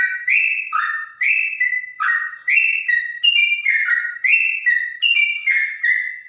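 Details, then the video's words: Clear-voiced trotok bird, its song said to resemble a straw-headed bulbul, gives bright whistled phrases that drop then level off, repeated in quick succession with brief pauses between bursts. "Burung trotok bonang suara bening rasa cucak rowo"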